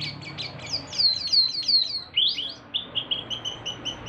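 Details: Small male Javan mini wambi, a local bird singing loudly: rapid high thin whistled notes slurring downward in quick series, then a rising swoop and a run of short high clipped chirps.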